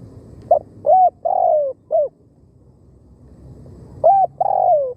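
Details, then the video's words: Decoy spotted dove drawing in wild birds, singing a full phrase of short hooked notes around a long, rolling, downward coo, then beginning another phrase after a two-second pause, with low hum behind. "เสียงนกเขาใหญ่ต่อ หมาน ๆ นกป่าเข้าไว"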